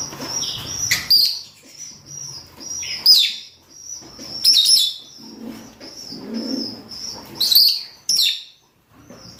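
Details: Mating calls of rosy-faced and Fischer's lovebirds, both sexes: frequent piercing screeches spaced every second or two above a busy bed of high, repeated twittering chirps.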